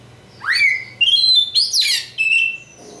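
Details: Oriental magpie-robin, local East Java bird, opening with a rising whistled sweep into a held note, then higher clear whistles, a loud harsh burst and a softer closing whistle.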